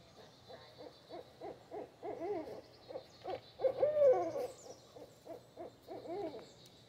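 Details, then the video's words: Paired barred owls staking a territorial claim: a chorus of repeated, throaty hoots and wailing, wavering cackles, building to a loud peak midway, with faint low hum behind. "Pair of Barred Owls Staking Claim"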